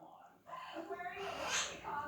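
A monk parakeet mimics human speech with a drawn-out, kiss-like "muah" that slides toward a cow-like "moo."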